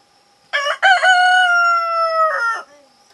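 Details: Chicken crowing near a laying hen and her newborn chick: one loud, ringing crow with two short opening notes, then a long drawn tone that slowly falls before a brief broken ending, over a faint steady hum.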